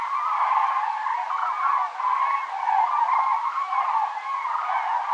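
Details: Migrating flock of common cranes (Grus grus) circling overhead over Navarra in the Pyrenees, flying south on 1 November 2017, gives a continuous chorus of loud, rolling, trumpeting calls, many birds overlapping with no pause.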